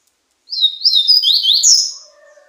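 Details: A high-pitched song phrase from a slate-colored seedeater: a chain of sliding whistled notes over about one and a half seconds that ends in a bright buzzy note, followed by faint low tones.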